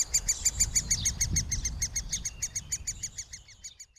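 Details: Young middle spotted woodpeckers in a nest cavity being fed by a parent, filmed at 120 frames per second; rapid, regular high chirping calls repeated about three times a second, with faint low rumbling beneath.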